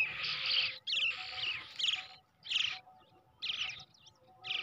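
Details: Brown shrike nestling raised by hand from an egg, uttering loud grating rasps, each burst about half a second to a second long, separated by brief silences.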